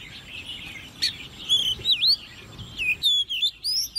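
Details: Caged young Oriental magpie-robin, hand-reared and ten months old, in contest song: clear looping whistled notes that swoop down and up, separated by brief pauses, after a faint chattering start.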